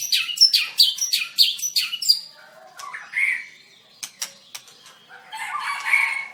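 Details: White-rumped shama singing energetically in a songbird contest, dancing as it sings: rapid bursts of sharp chirps and rising notes, then scattered clicks and a brief warbled phrase near the end.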